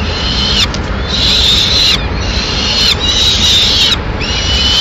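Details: In Madrid in May, a Peregrine Falcon gives harsh, high, grating calls in drawn-out bursts about every second and a half, over a steady low rumble of city noise, as the female brings a pigeon to the nest.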